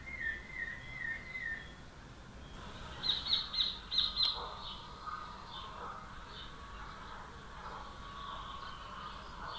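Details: Rufous hornero calling: a short run of high, sharp, repeated notes that is loud and rapid, coming after a softer series of lower chirps, over a faint, steady background hiss of outdoor noise.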